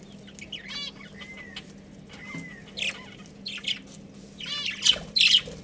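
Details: Budgie family with a breeding pair: scattered harmonic chirps and two smooth falling whistled notes, then louder chattering toward the end over a constant low background hum.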